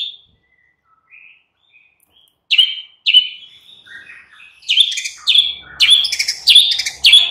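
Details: White-rumped shama song, played in the afternoon as a lure to provoke a captive bird into replying: a few soft scattered whistles, then loud slurred whistled phrases of rising intensity, repeated about every half second toward the end.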